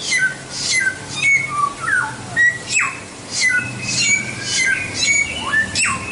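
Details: White-rumped shama in full song for bird training. Clear whistles step down in pitch, slurred notes glide, and strong falling sweeps are mixed with harsh high notes in quick succession.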